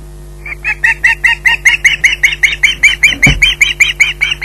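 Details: Osprey at Loch Garten squawking while waiting for food: a fast, steady run of harsh, high squeals, about two and a half per second, with a single low thump near the end.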